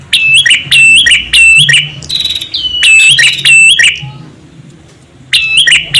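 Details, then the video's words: Male and female prinias calling to lure other birds: rapid, shrill, rattling chirps in quick series, a brief pause of near silence, then another loud burst of the same harsh notes. "SUARA PRENJAK JANTAN & BETINA UNTUK MEMIKAT"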